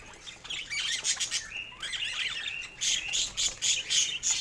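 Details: Budgerigars kept as pets chatter during morning toy play, giving fast scratchy warbles and short rising-falling chirps about three or four a second, with a brief steady whistled note midway.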